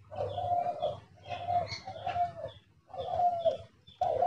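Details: Decoy spotted dove calling from a hunter's trap cage: soft, low, hollow cooing phrases that come in bursts about every one and a half seconds, with light background noise between them.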